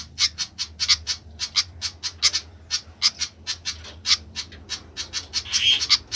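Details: Restless flycatcher calling busily: crisp high chips tumble out in uneven runs, some doubled, with a harsher scratchy burst toward the close.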